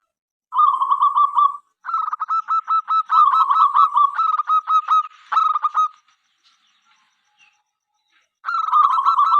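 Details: Local zebra dove, a lively singer, giving a song said to invite other doves to sing and answer within five seconds: fast runs of short, even, repeated notes, then a pause before the next burst.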